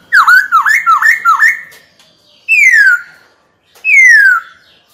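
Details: Kept and trained white-cheeked laughingthrush singing to provoke a rival into fighting. A quick run of five ringing, dipping whistles is followed by two long, clear whistles sliding steadily downward.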